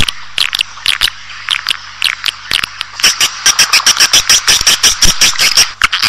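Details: Swiftlet call for drawing a colony into a building: spaced dry clicks and short chirps at first, then a fast regular run of sharp clicking notes about three per second.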